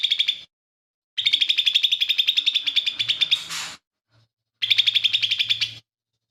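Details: Lesser green leafbird, a vocal songbird mimicking fighting sparrow, buto kingfisher and cililin, used as a tutor; long, steady trill of rapid high pulses ending in a harsh buzzy note, then another fast trill after a pause.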